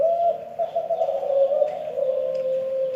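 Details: Unusual Kelantan spotted dove call, a low, throaty coo held through three seconds, gently wobbling and sliding down in pitch.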